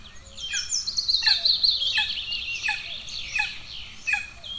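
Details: Hungry golden eagle chicks in Estonia, 2 June 2024, with the older chick aggressive toward the younger: high, thin descending squeals in quick succession over a dense, shrill chittering band, with a faint low rumble beneath.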